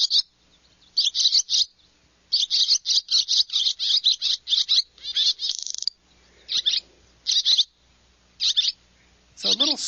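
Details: Barn Swallow from Texas Hill Country gives rapid, squeaky high twitters rising and falling in quick bursts, like a down-up check mark, with the brief rattle it makes when flying around.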